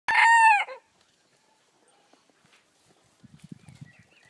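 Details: Pekin bantam cockerel crowing, one short strained crow lasting about half a second, cut off abruptly, followed by silence and then faint low clucking and rustling.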